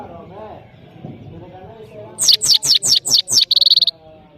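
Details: European goldfinch from Parachinar giving a short song phrase: six loud, rapid, descending twittered notes ending in a fast buzzy trill, preceded by faint low background sounds.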